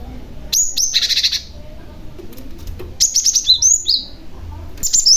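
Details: Cinereous Tit, a young male used as a caller to lure other tits, giving a dense buzzy burst of high notes, then a second phrase of slurred chirps after a pause, with a last note at the end.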